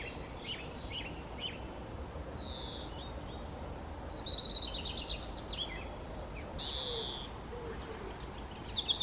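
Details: Singing common redstart: several short phrases of sweet, sliding high notes and quick repeated chips, spaced a few seconds apart over a continuous background hiss.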